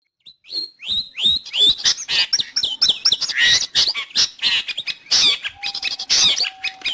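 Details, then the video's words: Long-tailed shrike song used for training pet birds or luring wild ones: a rapid, dense run of harsh chattering notes and sharp rising whistles, with a few thin steady tones near the end. "Suara burung Cendet / pentet"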